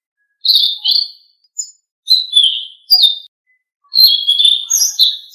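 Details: Blue-winged leafbird song used as a training recording to get kept birds singing: clean bursts of bright, slurred whistles and chattering notes around the upper register, delivered in four or five phrases separated by short silences, no background noise.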